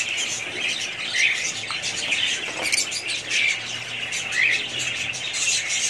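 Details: Budgerigars giving short, squeaky chirps at irregular intervals, about one a second, over a constant bright hiss, with no other clear sounds.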